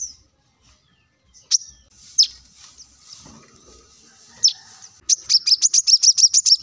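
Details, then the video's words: Plain-throated sunbird singing, a recording for prompting other birds to sing: a few scattered high chips, then a fast, even trill of about a dozen high, slurred notes filling the final second and a half. "kolibri kelapa | manggar | wiceh | masteran untuk burung ijoan agar cepat bunyi gacor"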